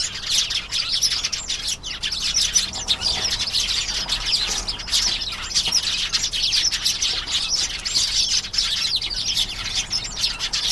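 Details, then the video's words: Canary singing: a loud, unbroken, rapid warbling song of rolling trills and twittered notes, sustained high-pitched for the whole stretch without pauses. "canary singing. beautiful canary sounds"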